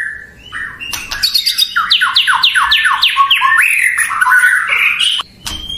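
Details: White-rumped shama, or murai batu, song used to make opposing shamas respond: a soft whistle opens into a rapid series of steep downward-sweeping notes, then warbling phrases and a sharp click.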